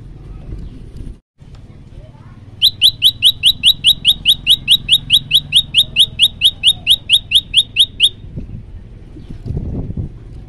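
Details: An olive-backed tailorbird in lively full song gives a loud, rapid burst of about two dozen sharp, rising, shot-like notes, roughly four per second, over a low background rumble.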